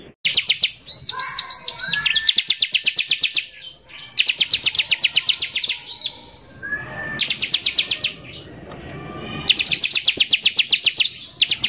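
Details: Long, energetic run of bar-winged prinia song used as a provoking lure: harsh rapid trills in repeated blocks, with looping whistles woven in and a brief softer lull midway.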